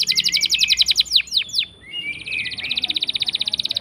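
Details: Canary rolling song as a lure: a fast high trill, a few sharp down-sweeps, a brief dip, then a buzzy rapid trill building to the end.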